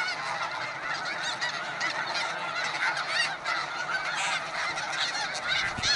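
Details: Arctic breeding colony of snow geese: countless birds honking at once, forming a continuous roaring chorus of harsh, overlapping calls with no pauses.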